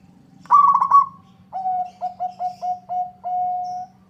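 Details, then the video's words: A local zebra dove sings eagerly in answer to a rival: a quick warbling trill, then seven crisp, regularly spaced coos that end in one long sustained note, against a low hum. "Suara perkutut lokal gacor bikin nyaut lawan"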